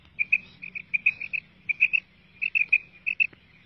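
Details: Calling female quail, recorded for quail hunting: a quicker, uneven series of high clipped notes, mostly in pairs and short runs, with brief pauses between groups and a soft background hum.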